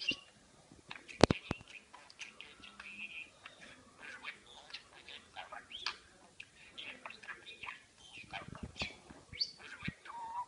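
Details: Parakeet kept as a pet chattering at length, an uneven flow of clicks, squeaks, buzzy warbles and thin whistles, with a loud tap near the start.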